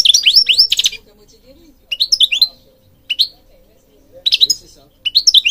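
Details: Short phrases of European goldfinch song separated by brief pauses, each a quick cluster of sweet, slurred twittering notes, with a faint low hum in the background.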